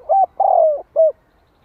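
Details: Spotted dove decoy giving its gọi and thúc coos to bring in wild doves: a brief note, a long smooth descending coo, then a short rounded end note.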